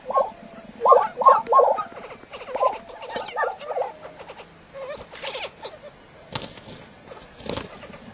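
Lesser prairie-chicken giving low, bubbling hoots in a quick run of five or six notes, followed by softer scattered calls and a few sharp clicks.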